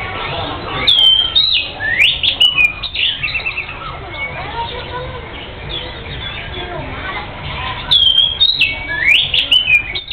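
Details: Oriental magpie-robin (kacer) in lively full song, bright whistled slurred phrases and sharp rising notes around 0.8–3 s and again near 8 s, with quieter chatter between and a low background hum.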